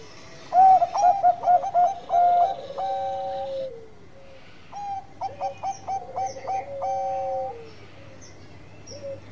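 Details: Bangkok-type zebra dove (perkutut) in full song: two bouts of rapid, clipped, bubbling coo notes, each ending in drawn-out level whistles, separated by a quiet pause, over a faint low hum.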